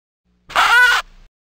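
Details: A single duck gives one loud, nasal, harmonic quack lasting about half a second, against silence.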